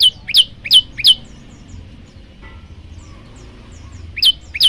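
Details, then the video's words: Male olive-backed tailorbird calling a female: sharp high chirps falling from about 5k to 3k, a quick group of four, a pause, then two more, with faint distant chirping from other birds between. "burung prenjak lumut jantan gacor manggil betina"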